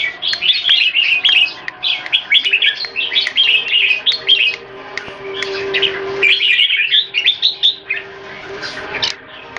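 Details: Caged red-whiskered bulbuls kept in Singapore, one in molt, singing against rival birds: rapid bursts of bright chirpy, warbling phrases in quick succession with brief pauses, over a faint steady low hum.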